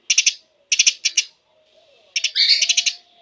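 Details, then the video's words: Rapid, high chirping of a Eurasian tree sparrow, recorded as lure and filler material for caged songbirds; clipped notes come in tight groups of three to five, then a denser, buzzier run of chirps after a pause. "Burung gereja gacor speed rapat"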